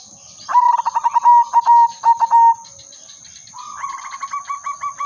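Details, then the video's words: Zebra dove of the silver udanmas type singing as a lure for trapping: a rapid series of staccato coos near one pitch, then a fainter, similar stuttering phrase from a second dove, with a steady high electronic hum behind. "burung perkutut/merbok silver udanmas gacor manggung irama merdu pancingan dan pikat"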